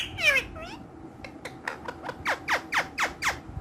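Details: Green ringneck parrots kept as talking pets give a harsh squawk, then a string of short falling shrieks repeated about four times a second, indoors.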